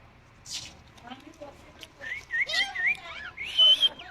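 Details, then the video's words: A talking common myna speaks in quick whistled and warbling phrases that rise and fall, with a louder, clearer whistled phrase near the end. "শালিক পাখি কথা বলে। কথা বলা শালিক পাখি"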